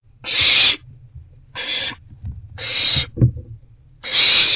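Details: Hissing, rasping screeches from owls at a nest box during rodent deliveries, evening of 29 March 2024, four broad bursts spaced over a second apart, with light scratching and knocks in between.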